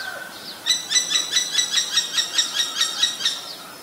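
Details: Common Myna, Ubon Ratchathani, Thailand, 3 May 2022, Nikon P1000 recording: after a low whistle, about twelve sharp, ringing notes repeat evenly, roughly three per second, in a bright chattering series.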